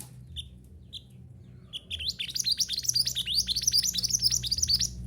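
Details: Mantenan gunung song for training caged birds: two isolated short notes, then a long run of rapid, high twittering and rising sweeps for about three seconds, with a steady low hum underneath.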